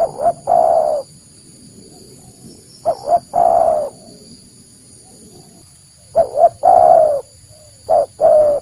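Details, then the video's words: Wild-type spotted dove lure call for attracting doves in the open: phrases of two brief clipped coos followed by a longer, slightly falling coo, repeated about every three seconds, with a quiet low rumble behind. "Suara Asli Derkuku Pikat"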